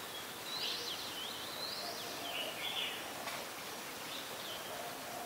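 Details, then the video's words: High, thin sweeping calls of an olive-backed sunbird from the Sirinart Rajini mangrove forest: a run of rising and falling squeaky notes in the first half, then fainter notes, against constant ambient hiss and one sharp click. "นกกินปลีอกเหลือง (Sunbird)"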